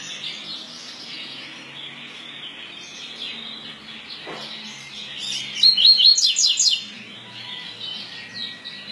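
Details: Pardo double-collared seedeater with 'tui tui' song: after several seconds of quiet hiss, a loud rapid run of high, sharply modulated chirps bursts out for just over a second, then the background returns.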